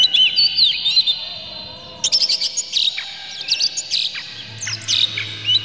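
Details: Oriental magpie-robin pouring out an emotional lure song to spur rival magpie-robins: dense sequences of rising and falling whistles and staccato notes, nearly continuous, with a soft low hum late on.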